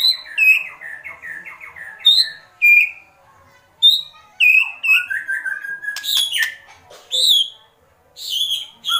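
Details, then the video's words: White-rumped shama singing kretekan in an agitated state: rapid series of short whistled notes around mid pitch, then bright descending slurs and sharp high chips in quick bursts with brief pauses. "Kretekan Murai Batu Emosi"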